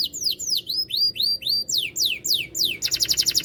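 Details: Canary delivering loud "cadas" style song: rising then falling curved whistles repeated about three per second, followed by a rapid buzzy trill of short notes to the end.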